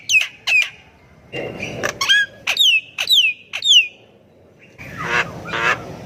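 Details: Javan myna singing as a lure to prompt quiet birds: downward-slurred whistled notes spaced about half a second apart, then a pause and a noisy rasping burst at the end.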